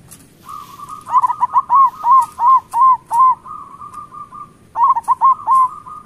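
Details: Local zebra doves singing as a lure for lazy birds: a rapid beaded trill underlies a loud run of about eight ringing, hooked coos, followed after a pause by another short burst of three.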